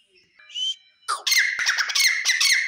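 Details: Male grey francolin (teetar) gives a short thin whistle, then breaks into a loud, grating, rapidly repeated series of harsh notes with a shrill ringing tone, sustained to the end.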